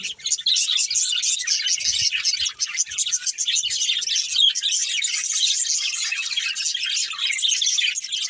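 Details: A playing budgerigar family chirping nonstop: a dense stream of high twittering and chattering notes from many birds, rising slightly in intensity after the first second.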